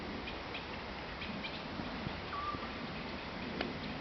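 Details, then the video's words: Eurasian scops owl recorded in Croatia: one short, pure whistled note that dips slightly at the start, then holds level, heard once midway through the clip over steady background hiss and faint clicks. "Eurasian scops owl - Otus scops - Dwergooruil"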